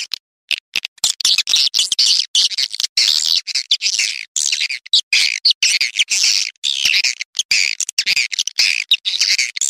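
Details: Swiftlet calling sound used as a lure: dense, rapid bursts of high, dry twittering chirps and squawks, pouring out continuously with brief gaps.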